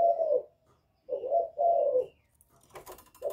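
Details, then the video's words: Spotted dove calling to challenge rival males, 'giọng thổ' voice; a single low coo, a pause, then a short-long coo pair, followed by a burst of rustling noise and the start of another coo. "Cu Gáy Giọng Thổ GÁY GỌI kích bổi cực hay"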